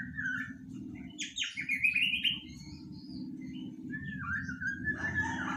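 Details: Three-month-old white-rumped shama practising song (dokor): a few sweeping whistles and a brief scratchy flourish, over a loud constant low hum.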